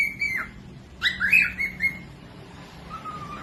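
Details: Cockatiel whistling for training other birds to sing. A drawn-out level whistle falls away, then a quick cluster of looping, rising and falling notes, and finally a soft low whistle trails off.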